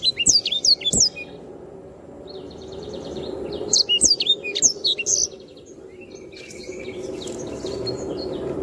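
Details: Canary performing a tutor song for training other birds: short phrases of high, sweeping whistles and chirps, then a fast buzzy trill, with quieter, more distant chirping near the end over low background noise.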